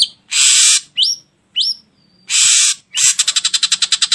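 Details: Ashy drongo lure song, meant to make birds sing: loud hissing bursts alternate with bright upslurred whistles, then a fast rattle of about a dozen harsh notes at the end.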